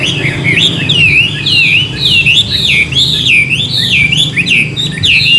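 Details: Wild-caught hwamei in Vietnam, kept for its song and said to sing more varied notes than hand-raised birds: rich, loud looping whistles, each phrase rising then falling, repeated in a steady flowing stream over low room murmur.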